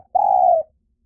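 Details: Spotted dove lure call: one sustained, smooth mellow coo about half a second long, steady in pitch and fading slightly at the end.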